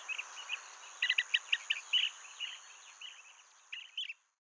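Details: Nesting Blue-tailed bee-eater, male bringing caught insects to his mate in the nest-hole, filmed on a Nikon D500: a rapid run of chirping notes, rising in density then trailing off, above a steady high-pitched background drone.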